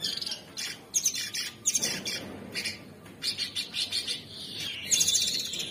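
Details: Caged Orange-bellied Leafbird, sung as a non-stop training song, pours out rapid bursts of high chirps and short buzzy notes, with brief pauses between clustered phrases and a few thin whistled slurs.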